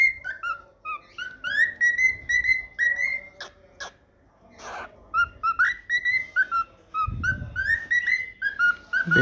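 A cockatiel whistles a run of clear, bright notes, some sliding upward, in quick repeated phrases.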